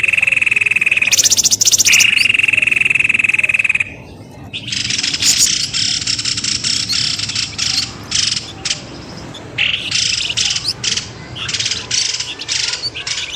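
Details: Noisy bird lure call used to draw birds out of bushes: a long steady high whistle for about four seconds, then a dense run of sharp, rapid chirps and squeaks, about three a second, in uneven bursts.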